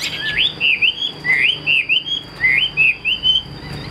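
Chinese hwamei singing loud, clear whistled notes that slur up and down, delivered in quick bursts about a second apart, with a faint steady high whine behind.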